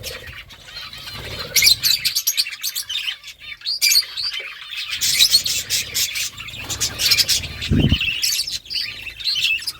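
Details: Pet budgerigars chirping while eating food: a busy flock chatter of bright, scratchy chirps and warbled squawks in quick bursts, with a brief low thud near the end.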